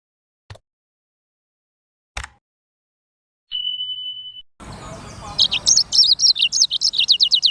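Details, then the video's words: Black-throated canary song: after two sharp clicks and a steady high whistle, a fast run of high, bright notes and quick downslurs fills the last two seconds, over a faint low hum. "BURUNG FINCH EDEL SANGER / BLACKTHROAT Suara Gacor"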